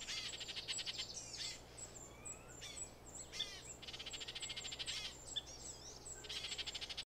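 Baltimore oriole giving dry, buzzy chattering rattles in quick bursts, broken by short slurred whistles, all high-pitched against a faint steady hum.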